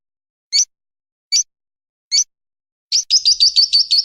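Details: Lovebird giving a long ngekek, a master recording for training birds: three separate high, sharp chirps spaced about a second apart, then a rapid run of buzzy, pulsed notes begins at the end.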